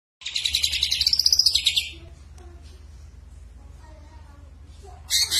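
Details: Greater green leafbird in full chatty song, its repertoire filled with kapas tembak and lovebird phrases: a fast, bright, high trill of rapidly repeated notes for under two seconds, then near quiet and a sharp hiss at the end.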